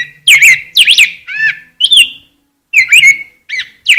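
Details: Rose-breasted grosbeak singing: rich, warbled, robin-like phrases of quick sliding whistled notes, delivered in bursts separated by short pauses.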